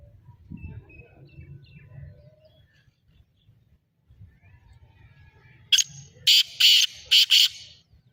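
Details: Black francolin (kala teetar) giving its call: a short sharp note followed by four loud, harsh, rasping bursts packed into under two seconds, after a stretch of faint low rumbling.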